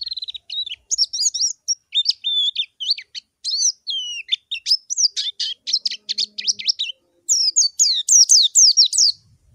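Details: White-eye calling to a rival in clear tutor audio: a long, varied stream of high chirps, whistled slurs and buzzy notes, ending in a fast run of strong descending chirps.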